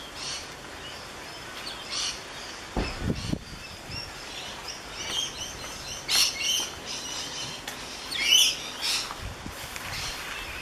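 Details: Rainbow lorikeets on the Gold Coast, recorded with a Canon SX50 camera: a busy stretch of harsh, high screeching chatter in overlapping bursts, loudest around six and eight seconds, with a low thump near three seconds.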